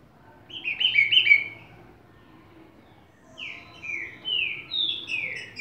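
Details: Green-winged saltator giving Bacural and Bom dia seu Chico style song: a clustered run of bright whistled notes, a pause, then five descending slurred whistles repeated about every half second.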